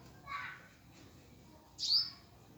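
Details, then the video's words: A hummingbird at its nest gives a soft, breathy note, then a single sharp, very high chirp a second and a half later; nothing else is heard. "Humming bird nest and chirping sound"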